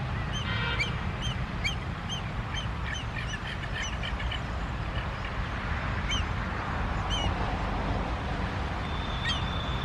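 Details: Indian grey hornbill in Uttarakhand giving shrill, squeaky notes, first in a quick run, then a few scattered calls, over a steady low rumble.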